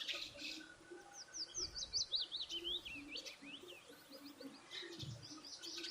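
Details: Birds at food give a clear, fast string of high, zigzagging chirps, about two to three each second, followed by softer scattered tweets, with a faint low hum beneath.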